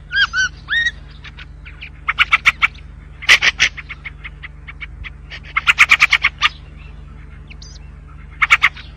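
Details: A white-spectacled bulbul opens with three clear, ringing harmonic notes, then bursts of rapid clicking chirps in clusters separated by pauses, over a low steady hum.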